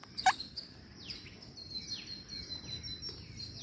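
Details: During feeding, green parakeets utter shrill calls that slide sharply downward, repeated about every half second and overlapping. A sharp knock sounds near the start.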